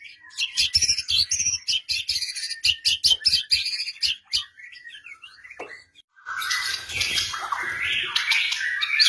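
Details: White-rumped shama song played to prompt a silent bird: a dense run of rapid clicking and chattering notes, a short pause, then a loud noisy burst of overlapping song.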